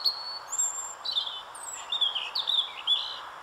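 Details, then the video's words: Robin song in a rapid sequence of thin, sliding high whistles and tinkling notes, one after another with hardly a pause, above faint continuous background noise. "ROUGEGORGE FAMILIER chant"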